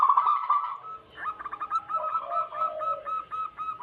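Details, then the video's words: Lure recording of a local wild zebra dove: a loud opening coo, then a steady string of crisp, evenly spaced cooing notes with a soft lower murmur beneath. "Lokal Alam gacor pancingan pikat burung perkutut Paling ampuh."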